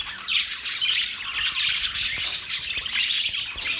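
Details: Budgerigars chirping happily, a dense, continuous chatter of high, buzzy warbles and sharp tweets overlapping throughout with no pauses, suggesting several birds calling together.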